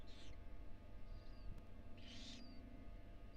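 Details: A female barn owl briefly leaves four tiny nestlings in a nest box at the University of Florida. Two broad hissing bursts are heard, with a faint thin whistle between them and a low hum throughout.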